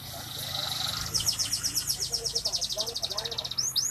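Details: F2 canary singing busily, rapid rolling trills of short high notes repeating about four per second, over a steady low hum and faint background noise.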